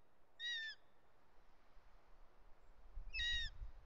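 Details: A juvenile Bonelli's eagle screams near its nest in the Ports, Catalonia, on 13 August 2023 as the male arrives with a snake: two high, thin, slightly wavering calls about three seconds apart, over low wind rumble.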